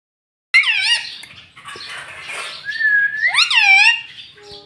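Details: Pet green rose-ringed parakeet said to speak the word "mummy". Two loud, harmonic, arched squawk-like utterances, each first rising and then falling, separated by a softer, hissy, drawn-out stretch, with a short clean whistle-like tone between them.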